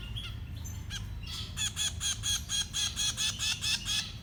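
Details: Baby birds being fed: a rapid series of high, shrill chirps repeated about twice a second, rising in intensity, over a steady low rumble of background noise outdoors.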